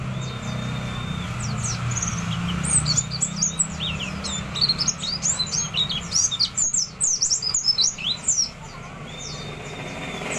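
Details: Several white-eyes prepared for a singing contest; quick high chirps building into busy twittering, with long flat whistles at start and end over low rumbling noise.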